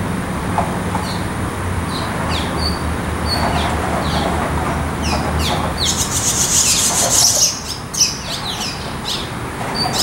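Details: Barn swallow nestlings waiting to be fed: sparse thin chirps at first, building into a dense burst of shrill, hissing begging notes midway, then scattered chirps again, over a low background rumble.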